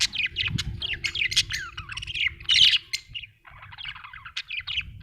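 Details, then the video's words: Budgerigar giving a fast run of squeaky chirps and buzzy squawks, a brief pause near the middle, then softer warbling chatter resumes over a light low background hum. "budgie chirping sound"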